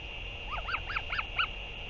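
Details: Northern royal albatross, a parent returning to feed its chick, dated 08 06 2023: five quick arched, nasal calls in a row within two seconds, fairly quiet, over a steady electronic hum.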